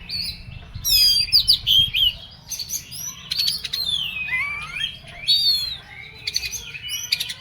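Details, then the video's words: Oriental magpie-robin in an agitated mood gives fast buzzy trills, descending whistled slurs and sharp chips, alternating loud bursts with quieter phrases. "KACER EMOSI KONSLET"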